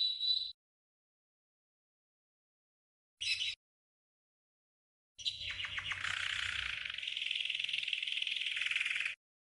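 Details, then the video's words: Green canary training song for tutoring birds: two short isolated note bursts, then a four-second rapid rolling trill with a few quick descending chips at its start. "The Best GREEN CANARY 12h Training Song"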